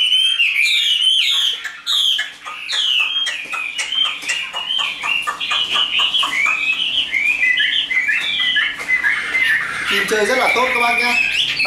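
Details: Chinese hwamei offered for sale: fast clicking notes open into a long, fluent stream of rising and falling whistles, ending with lower warbled phrases.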